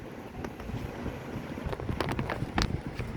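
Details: Wind buffeting the microphone with scattered handling thumps and clicks, and no animal voice.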